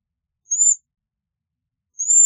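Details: Two separate high, thin, gently rising trill notes from a Bohemian waxwing, about a second and a half apart against silence.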